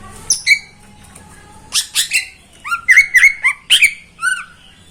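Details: A caged greater green leafbird sings a morning phrase of mixed chirps, harsh notes and rapid whistled slurs, varied in pitch and closely spaced.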